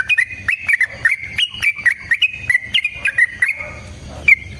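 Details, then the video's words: Sooty-headed bulbul delivering a long fighting song as a lure for other bulbuls: a quick series of clear whistled notes with sharp up-and-down bends at a steady pitch, tailing off into a quieter pause with one last note. "TRUCUKAN GACOR TARUNG ROPEL PANJANG"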